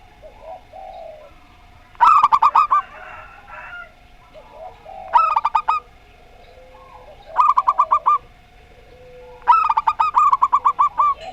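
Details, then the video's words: Local zebra dove in Rondo Semoyo style and a strange-voiced zebra dove: four bursts of rapid, clipped cooing notes spaced a few seconds apart, with softer low coos filling the gaps. "Perkutut Lokal Rondo Semoyo VS Perkutut Suara Aneh"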